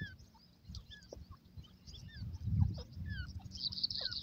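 Partridge chicks peep in a quick, overlapping scatter of thin, high chirps and short falling whistles, over a steady low rumble of background noise.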